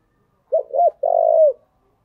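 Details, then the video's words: Single spotted dove phrase used as a lure call. Two short, soft, looping coos are followed by one longer, steady, purring coo that falls at the end. The background is otherwise silent. "Chim cu gáy chơi đủ bài thúc gù gáy gọi toàn bộ vdeo, dùng kích bổi thì phải nói hiệu quả"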